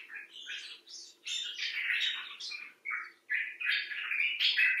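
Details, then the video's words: Common bulbul chatter: buzzy, churring notes in rapid bursts, briefly stopping twice, then resuming louder; one of several individuals, some looked after after injury in a clinic for distressed birds. "Bulbul Talk: The Common Bulbul (Pycnonotus barbatus)"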